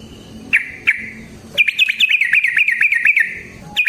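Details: Fighting song of a yellow-vented bulbul, played to stir caged birds into song: two separate clipped notes, then a fast, even run of bright chattering chips over the second half.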